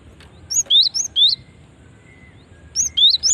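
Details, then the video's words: Female cinereous tit call used as a lure for other cinereous tits; two phrases of sharp, high, upward-sweeping whistles separated by a short pause. "Ampuh memancing bunyi gelatik batu betina ini"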